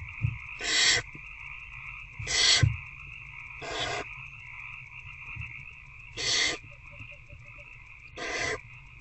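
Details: Adult barn owl feeding an older owlet inside a nest box on the night of 19 February 2024, just after 9 pm; a run of five rasping, noisy hisses, each under half a second, spaced irregularly over a constant electrical hum.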